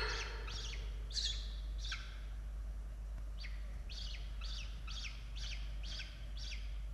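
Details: Peregrine falcon nest in Australia, evening chick feeding on 16 October 2022: scattered descending chirps early, a pause near three seconds, then a regular series of seven short falling calls over low background noise.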